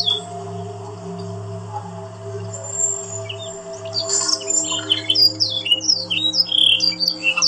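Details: Training song of a Yorkshire canary for other canaries: a few seconds of low hum and faint notes, then a quick burst of bright chirps and downward-swept whistles building in loudness.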